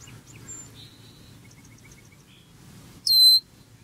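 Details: A black bird peeping loudly over its breakfast, filmed close up; soft, faint twitters and short dotted notes come first, then one strong, high, whistled peep falling slightly and held for a third of a second.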